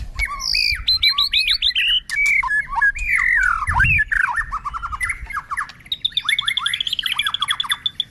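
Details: White-rumped shama flicking its tail while giving a long, continuous song with constantly changing notes, used for voice training: rich varied whistles, slurred and swooping, then a rapid run of repeated high notes.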